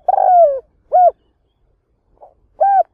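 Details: Spotted dove used as a lure for trapping wild doves: a long quavering coo falling in pitch, followed by two shorter rounded coos, clean and close.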